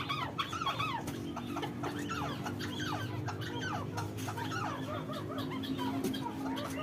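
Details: Arabian partridge, filmed 3 January, calling in dense bursts of hoarse, bending chuck notes that repeat almost without pause, while a constant low mechanical hum runs through the background.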